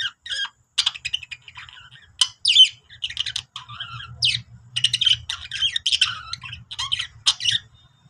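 Budgerigars chatter busily in rapid warbles, chirps and scratchy squawks, a happy sound made while playing.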